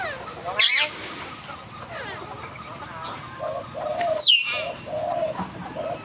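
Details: Common hill myna at Phnom Tamao Zoo in Cambodia, a bird said to be able to speak. Two loud, harsh, sweeping harmonic bursts about four seconds apart, with a steady low cooing from doves and a faint hum in between.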